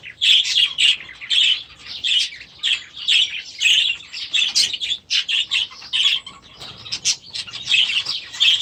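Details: Grown young budgerigars released into a new aviary at the start of the season. Strong, clear chirps repeat rapidly in rhythmic runs, with softer twitter between the louder notes.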